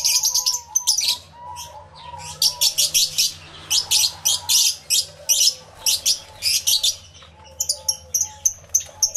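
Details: Lovebirds kept in an aviary, yellow-collared lovebirds among the many birds, recorded with two external microphones: sharp, piercing chirps in rhythmic runs of several notes, pausing now and then, over soft wavering whistles from other birds.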